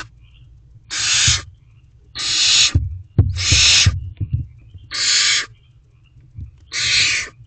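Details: Owlet of a barn owl inside a nest box at about 8 pm in May, waiting for food: five broad rasping hisses, evenly spaced about a second apart, with low knocks and shuffling in between.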